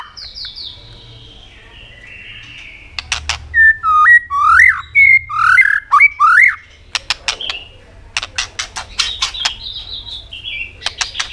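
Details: White-rumped shama in full song, clicking continuously, meant to stimulate subdued birds. Clear, fluty looping whistles of six or seven phrases are bracketed by sharp clicks and high, thin whistled notes.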